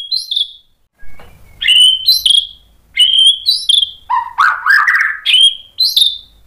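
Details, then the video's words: White-rumped shama song meant to provoke rival shamas: bright, high whistled notes repeated about every half second, with a dip into a lower, rich warbled phrase midway and sharp clicks. "KICAUAN MURAI BATU bikin NYAUT EMOSI jadi BUNYI GACOR NGEPLONG BONGKAR ISIAN | PANCINGAN MURAI"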